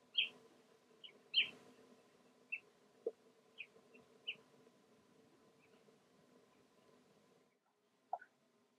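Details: Marsh sandpiper: short, high, clipped notes scattered irregularly across several seconds, some softer and spaced, over a steady low hum, with a lower thump near the middle and a brief final note.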